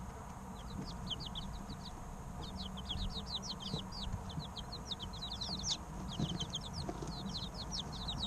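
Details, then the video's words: Flock of three-week-old baby chickens chirping continuously: dense, overlapping, high descending peeps with brief pauses, over a constant low background hum. "Chicks Chirping Sounds 2 - Baby Chicken Sounds Over 20 Minutes - Incubator Sound Helps Chicks Hatch"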